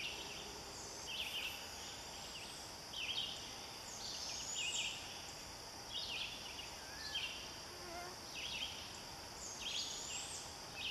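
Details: A barred owlet that has branched out to a new tree calls for its mother with thin, high, hissing screeches at fairly even intervals of about a second, set against a constant electrical hum.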